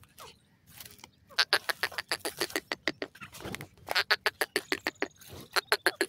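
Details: Grey francolin chicks in a jungle, calling in fast bursts of sharp, dry chipping notes, several rapid series of eight or more clicks with brief pauses, and soft rustling between.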